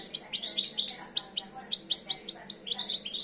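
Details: Two-year-old European goldfinch coming into breeding condition, singing a rapid run of bright, high chirps and twittered notes, roughly four to six per second, steady and continuous over a faint background hiss.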